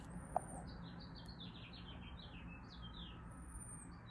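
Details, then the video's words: Bird singing outdoors in a city in springtime, thought to be a male trying to attract a mate; a rapid descending series of short high chirps, plus thin high whistles, over a steady low urban rumble. "Oh, and the bird is singing again."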